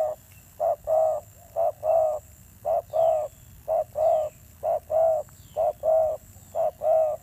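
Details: Spotted dove used as a decoy, calling in a fierce voice: a long run of low coo pairs, short then long, evenly repeated about once a second, with soft high chirps of other birds behind.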